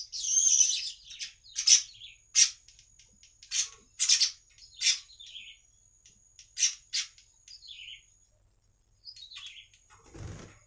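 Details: Baya weaver song serving as a lure for other weavers: separate short harsh buzzy bursts about every half second to second, some ending in downslurred squeaks, then a low thump at the end.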